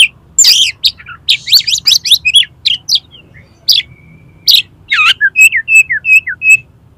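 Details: Oriental magpie-robin in the 'konslet' style, played to make a rival open its tail: rapid jumbled chips and squeaky slurs, a held thin whistle, then a series of evenly spaced clear whistled notes.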